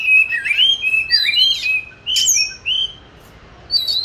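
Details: Oriental magpie-robin kept caged since 29 July 2020, recorded 22 March 2021 while hung for singing practice; bright warbled whistles tumbling up and down, a pause, then a final high whistle.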